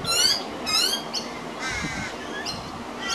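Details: A juvenile pied butcherbird, one of two being fed minced beef by an adult on a veranda on 15 December 2025, gives harsh, raspy squawks in quick bursts, two loud then softer, shorter rasps.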